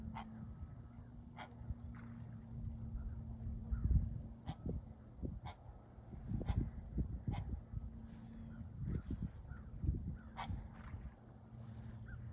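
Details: A great blue heron on a pond gives a warning call as a bald eagle tries to grab an American coot: harsh, low, honking croaks in irregular bursts over a dozen seconds, against a steady mechanical hum.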